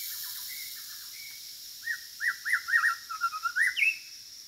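A White-rumped shama sings a quick run of clear, looping whistled notes, rising and falling, about eight phrases in two seconds, over faint high background hiss.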